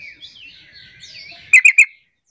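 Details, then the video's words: Sooty-headed bulbul lure call intended to get lazy bulbuls calling. Soft wavering whistled warbles lead into three loud, sharp, evenly spaced notes in quick succession. "Panggilan trucuk terampuh jadikan trucukan lain ikut bunyi"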